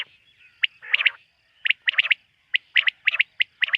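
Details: Nocturnal quail calling, recorded in a quail-hunting context: a rough, smeared burst opens, then quick sharp whistled notes in twos and threes follow in rapid succession, densely packed.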